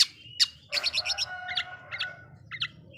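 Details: Oriental magpie-robin song used to agitate other magpie-robins, a few sharp high notes, then a quick run of paired whistled notes, then a few more, over a steady low hum.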